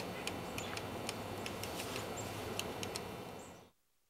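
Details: A Downy Woodpecker, a year-round resident, pecks on a tree in December at Cold Spring Park, Massachusetts: sharp, dry knocks in uneven bursts, several a second, with a steady outdoor rumble and a faint high bird note behind.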